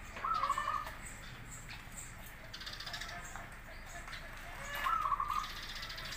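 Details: Zebra dove song, local versus crossbred birds, meant as a master recording for other doves to answer: two short, quick trilled coo bursts about four and a half seconds apart over steady background noise.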